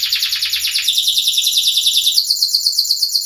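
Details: Orange 'sunkist' loper canary kept as a tutor bird, singing a fast buzzy trill that steps up into a steady rapid series of sharp high repeated notes, about a dozen per second.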